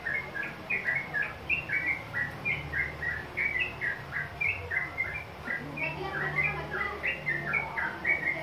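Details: Young Sooty-headed bulbul answering a lure, giving a rapid run of short chirped notes around the upper-middle pitch range, tumbling up and down in quick bursts, repeated steadily for the whole stretch with a faint low rumble underneath.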